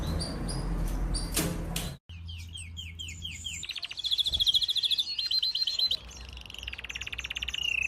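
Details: Lancashire canary master song for teaching young canaries: a scratchy start and a brief silence, then a series of rapid falling notes, a ringing high rolled trill, and a steadily pulsing trill closing out the phrase.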